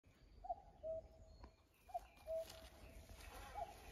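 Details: Off-key common cuckoo, the same bird heard last year, back again this year; three two-note cu-coo calls, a short higher first note dropping to a flat, longer second, about every 1.4 seconds over low rumble.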